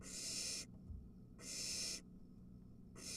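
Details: At a barn owl nest, an adult brings a mouse and one of three nestlings snatches it; harsh, breathy hissing screeches about 0.6 seconds long, repeated roughly every 1.3 seconds over a faint low hum.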